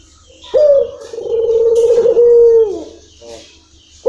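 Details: Long-rhythm song of a local puter dove: one drawn-out low coo of about two seconds, opening with a sharp rising note and purring along before a clean sustained tone that falls away.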